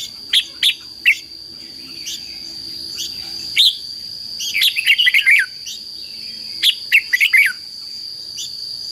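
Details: Red-whiskered bulbul fighting song, played as a decoy to lure wild birds and stir up training birds: scattered single chirps, then quick clusters of warbled notes separated by pauses, over a constant high-pitched hum.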